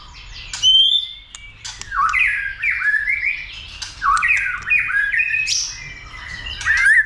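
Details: Caged-style training of a White-rumped shama, urged to sing many voices and to fight: loud, varied whistles mixed with harsh squawky notes in a nearly continuous rambling stream.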